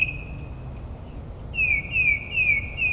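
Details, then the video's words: Northern mockingbird singing at midnight in suburban New Jersey, mimicking other species; a long steady whistle gives way to four repeated down-slurred whistled notes, over a low background hum. "Mockingbird's Nocturnal Performance in NJ"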